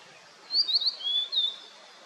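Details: Blue-and-white flycatcher singing on a misty mountain after rain: a few quick high whistled notes, then a longer whistle slurring slightly downward, over a faint steady background hiss.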